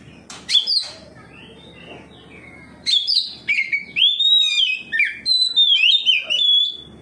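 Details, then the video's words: Oriental magpie-robin in loud ngeplong song, answering another magpie-robin and unloading its repertoire; sharp clicks and short notes lead into a rapid run of whistled slurs and jumps, about four notes a second. "KACER NGEPLONG KACER LAIN LANGSUNG RESPON NGEPLONG BONGKAR ISIAN"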